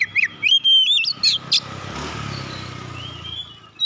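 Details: Contest-winning oriental magpie-robin gives a quick series of whistled, chirping notes before a passing vehicle's rumble takes over, with one faint rising whistle under the noise.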